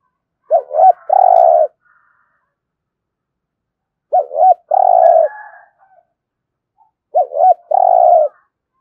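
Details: Spotted dove coos in the 'thổ' style, used to urge cooing. Three evenly spaced phrases, each a pair of short bent notes and then a long steady coo, about three seconds apart.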